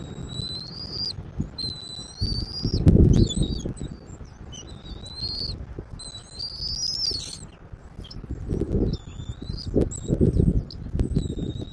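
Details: Bald eagle on a Southwest Florida eagle camera, 10.02.2024 at 14:02: a string of high, thin whistled notes, some rising or bending, with overtones, repeated fast and irregularly, over low thumping wind and microphone rumble.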